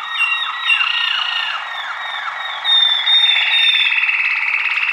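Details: Singing Waterslager canary: a run of quick rising strokes gives way to a high, clear whistled note and then a rapid, buzzing roll that carries on to the end.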